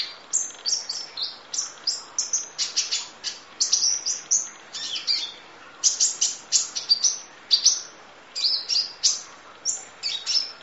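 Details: Kolibri ninja sunbird delivering a continuous full 'isian nembak' song for training: rapid streams of very high, sharp chirps and short downslurred whistles, with hardly any pause.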